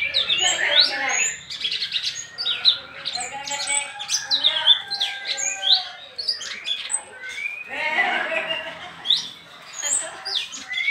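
A pair of sooty-headed bulbuls chatter almost without pause, trading bright, bubbly whistled phrases and harsher squawky notes that overlap throughout.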